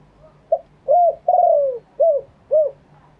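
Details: Spotted dove cooing live in a genuine wild-style phrasing (karom pa thae): a soft short coo, then two full mellow hoots, a long drawn coo sliding downward, and two more short rounded coos, low-pitched, with a faint steady hum beneath.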